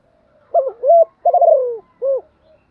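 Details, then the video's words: One full phrase from a spotted dove used as a training decoy to rouse newly trapped birds. Two rising coos lead into a long, gently falling, purring note, then one short final coo. Faint quiet surrounds it. "Chim cu gáy kích bổi mới rất nhanh nổi/ luyện chim cu gáy mồi gáy theo cả ngày, bổi nghe rất ức chế"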